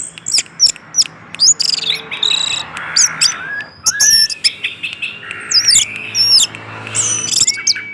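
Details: Orange-headed thrush song played as a lure to set other orange-headed thrushes singing: dense, fast run of bright high whistles, sharp chirps and looping upslurred notes, with brief lower warbled phrases between bursts.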